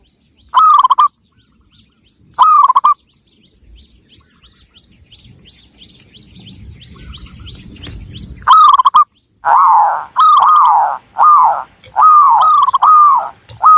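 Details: Local Javanese zebra dove from Cilacap, Central Java, in full song: paired arched cooing notes near one pitch, then a pause with rising low rustling noise, followed by a fast run of six similar arched coos.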